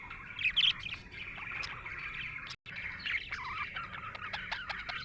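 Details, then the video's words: A happy budgie chatters in a high twittering warble with quick squeaks, briefly cut by a moment of silence midway before the chirping continues. "Happy budgie chirping sound"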